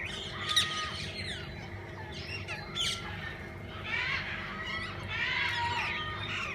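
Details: Walk-in aviary of a parrot zoo, many parakeets present. Busy twittering chorus with short rising and falling chirps, a few harsher squawks, and swelling waves of chatter toward the end.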